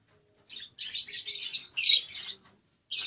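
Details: Young lovebird about two months old, learning the long ngekek song in nyeklek style but still managing only short phrases: dense, buzzy, high chattering bursts of about a second each, separated by brief pauses.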